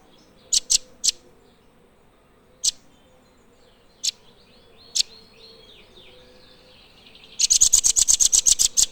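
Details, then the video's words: Blue nuthatch giving scattered single sharp high chips for several seconds, with faint thin descending calls in the background, then bursting into a fast, steady trill of high pulsed notes. "Blue Nuthatch Birdsong part 1"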